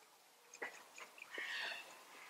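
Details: European bee-eaters exchanging "prüt" contact calls, one bird answering another to signal all is in order: short, rolling, liquid notes, a few quick calls then a longer burred phrase.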